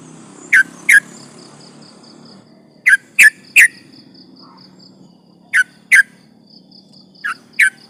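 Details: Sooty-headed bulbul, from a lure recording meant to provoke rivals: sparse pairs and triplets of short sharp whistled notes separated by quiet gaps of a second or more, over a faint steady hum.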